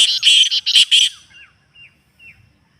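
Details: Partridge call sequence to rouse a pet partridge: five rapid, harsh, ringing notes in a run, fading into a few faint, thin whistled chirps.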